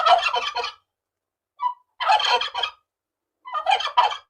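A wild turkey gobbles three times, each a rapid, rattling, throaty burst under a second long, with a soft brief note between the first two.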